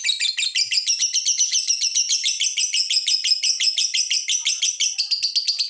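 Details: Lovebird ngekek, a long chattering song used as a lure to get other lovebirds singing: a fast, unbroken run of high, scratchy chirps lasting the whole six seconds, steady in loudness, with no other sounds.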